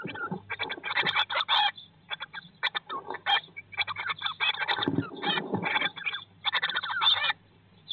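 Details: Blue tit chicks in a nest box on day 19 after hatching, filmed live in 2022. Almost continuous chorus of high, rapid chirps in overlapping bursts, with a brief low scrape near five seconds.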